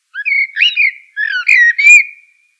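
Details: Two mellow, flute-like blackbird phrases in quick succession, each made of sliding whistled notes, the second ending in a long, drawn-out clear whistle. Background silent.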